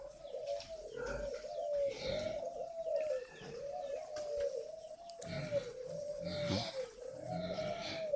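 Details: Spotted doves at a farm raising young doves: steady, hollow, low cooing on a sustained tone with soft rises and dips, given in repeated phrases of about one to two seconds, with faint chirps and background noise.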